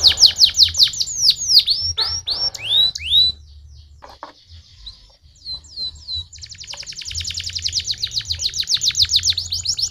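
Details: Stimulating canary song: quick descending swooping whistles, a quiet stretch with soft chips, then a long, even, rapid trill of repeated high notes, with a low background hum.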